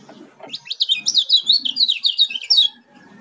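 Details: A single rapid phrase from an Oriental white-eye, known on Lombok as kecial kuning: high, sharp notes tumbling quickly up and down for about two seconds over faint low background rustle.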